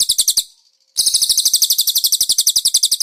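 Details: Konin, kept as a cage bird, singing cililin-style fill. A short run of sharp high notes stops, then after a pause a long, fast, rattling trill of steady repeated notes follows.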